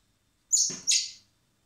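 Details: Common blackbird chicks hand-fed in spring at a wildlife recovery centre, to be released later; two quick, shrill, high-pitched begging squeals in succession, each fading out, with a faint low rustle beneath.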